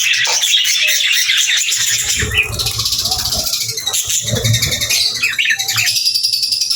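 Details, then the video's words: Budgerigars keep up a dense, high, twittering chatter with rapid scratchy chirps, plus a few louder rising squeaks and some lower harsh calls in the second half. "Budgies Chirping Sounds"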